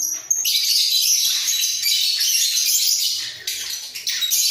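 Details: In a breeding cage, two head-bobbing budgerigars keep up a rapid, continuous chatter of high buzzy and squeaky notes, with slight flutters of sound near the end.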